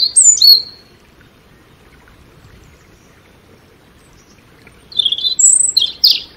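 A European robin sings two short, high, thin warbling phrases, each under a second long, separated by a pause of about four seconds.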